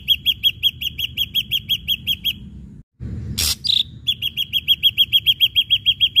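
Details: Ashy drongo singing, played as a lure to get other birds singing: two long runs of quick, repeated high chips with strong overtones, separated by a brief gap, a harsh burst and one short slurred note.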